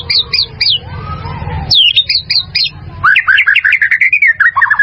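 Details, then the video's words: White-rumped shama song used to train caged birds: sharp high descending notes, a rumbling pause, more clipped high notes, then a flowing run of warbled whistles. "SUARA MURAI BATU"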